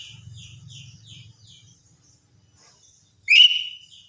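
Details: A lesser green leafbird in the morning: a run of faint, soft, descending chirps, a pause, then one loud whistle that sweeps up sharply and holds steady before fading.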